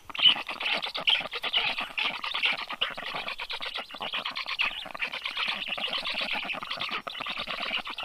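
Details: Black stork nest in Karula National Park, southern Estonia, on a nest camera at 7:05 am on 30 June 2023 as the female brings fish to her chicks; dense, raspy chattering pulses run continuously in rapid irregular bursts.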